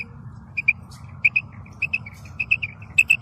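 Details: Female quail (batair, bedana) calling, a natural recording: short, high, clear notes, mostly in pairs, repeated steadily over a low background hum.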